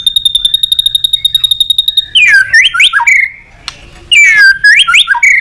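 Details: White-rumped shama calling a rival: opens with a steady high pulsed buzzy tone lasting two seconds, then loud swooping whistled phrases and rapid warbles in two bursts separated by a brief pause.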